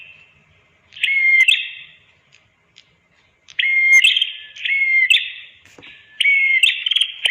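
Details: Red-headed prinia master recording for birds that have stopped singing: after a quiet start, four phrases of a clear whistle followed by a dry, buzzy trill, spaced about one to two seconds apart.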